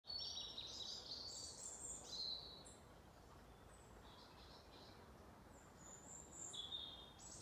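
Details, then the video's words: European robin singing at dawn in autumn around farm yards in County Kilkenny, Ireland, to welcome the day: thin, high, tumbling phrases of sweet warbled notes in two bursts separated by a pause, over a steady rush of outdoor noise. "Around the yards we have so many robins who sing their hearts out to welcome each day."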